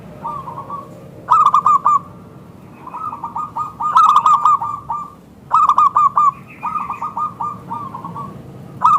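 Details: Local zebra dove used as a lure to make other zebra doves answer, delivering repeated bursts of rapid, rolling coo notes with brief pauses between phrases; some phrases overlap slightly as the singing continues steadily.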